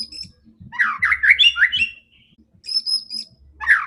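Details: White-rumped shama sung to provoke other birds, sounding fierce and combative: a rich, rapid run of warbled and slurred notes, then a pause and thin high whistles, with another phrase starting at the end.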